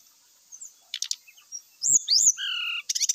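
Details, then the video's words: Short burst of brown-chested jungle flycatcher song used to incite fighting. Buzzy scratchy notes lead into looping high whistles and two long level whistles, ending in a harsh rattle. "SULINGAN NYA BIKIN SRDC LAIN KOCAR KACIR IKUT TARUNG, PANCINGAN AMPUH SRDC AGAR CEPAT BONGKAR ISIAN"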